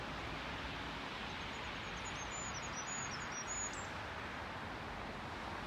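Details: First Goldcrest song of the year, 10 March 2022, along Lasarettsvägen footpath, Haga: a faint run of very high, thin repeated notes ending in a short flourish, over a steady wash of traffic noise.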